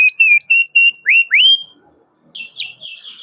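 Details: Canary calling a rival with 'cuit cuit' notes, used as a lure for young canaries learning sounds: a few clear whistled notes and two rising slurs, then softer, fainter chirps after a short gap.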